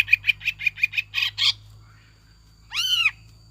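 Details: Greater green leafbird song used as a lure, in the lively ngekek jamtrok style with kingfisher-like tengkek buto phrases mixed in: a quick series of seven chirpy notes, a pause, then one loud arched, harmonic-rich whistle.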